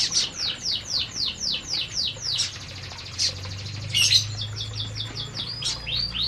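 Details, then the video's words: Canaries eating in an aviary: a clear series of evenly spaced downward-sweeping whistled notes repeated about four per second, a brief buzzy trill, then more falling notes, with soft chirping from other birds behind. "Burung Burung Kenari Sedang Makan Di Aviary"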